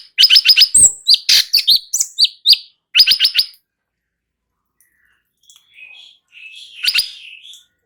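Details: Light-vented bulbul singing in the non-stop ngebren style, a training recording meant to make other birds answer. It opens with a rapid burst of sharp chirps and slurred whistles, then a pause, then softer warbled notes.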